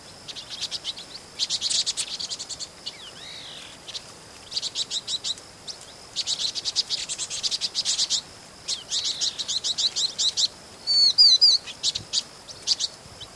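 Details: Vinous-throated parrotbills recorded 16 March 2014 in Pingtung City, Taiwan, calling in repeated runs of fast, high chips and rattles, several overlapping, ending with a brief squeaky twitter.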